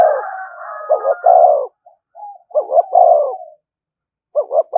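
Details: Spotted dove giving its call to stir up other doves: three phrases of a clipped double note and a long mellow coo, with a thin higher whistle layered under the opening.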